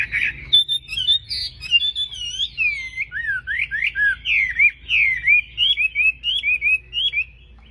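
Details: Tame Chinese hwamei greeting the dawn in a singing contest: a lively sequence of loud, varied whistles, quick swoops and down-slurred notes repeated in short bursts, continuing for about seven seconds.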